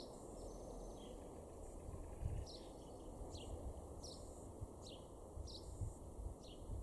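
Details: Garden-dwelling male house sparrow, Weener in East Frisia, Germany's far northwest, April 2021, giving a series of about seven brief falling chirps, roughly one per second, with faint thumps and steady low background rumble.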